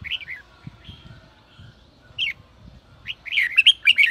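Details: Red-whiskered bulbul 'sổ bọng' song used to stimulate newly caught birds; a soft warble and sparse notes at first, then a loud, rapid string of bright chirping whistles toward the end.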